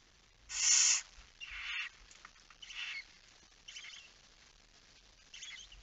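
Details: Barn owl nest during night feeding, 10 September 2019 at 22:45: one strong harsh hiss followed by a series of fainter, shorter rasps and a brief rattling scrape.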